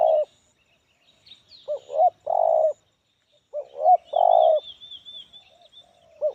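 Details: Tekukur, the spotted dove, singing in the medium-pitched, loud 'Kuk 1' style with many fill notes. Low cooing phrases of hooked short notes and a sustained coo repeat about every two seconds, with a thin high warble from another bird behind.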